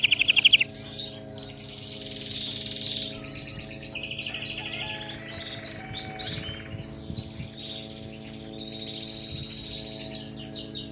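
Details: Canary song for training other canaries: a dense, continuous jumble of buzzy trills and chattering notes, loud at the start and then softer, steady warbling throughout.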